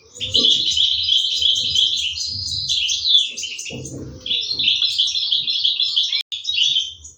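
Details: Goldfinch chicks begging as the parents feed them in an aviary, 2023; rapid shrill twitters and buzzy notes run on steadily, with short rising sweeps, a brief gap near the end and dull low bumps.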